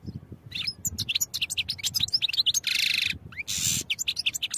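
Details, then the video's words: European goldfinch song used for training: continuous fast twittering of high chirps and trills, broken twice by grating buzzy notes, full and lively throughout. "Goldfinch Songs for Training"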